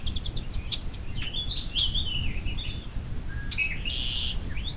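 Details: Young bald eagles alone in their Little Miami Conservancy nest on 12 May 2023, filmed by a live camera while parents stayed away, utter drawn-out high wavering whines and chirps amid steady wind rumble.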